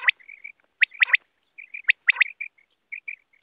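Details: Quail from the wild used in net hunting: crisp three-note phrases repeated roughly every second, with soft, low, warbling chatter between phrases.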